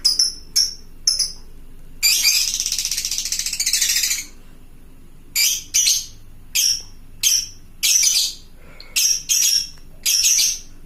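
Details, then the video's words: Lovebird of the fighter type giving a long ngekek call to summon companions: short sharp shrieks, then a two-second run of rapid harsh chatter, followed by more clipped screeches in quick succession. "suara burung lovebird fighter gacor ngekek panjang memanggik teman"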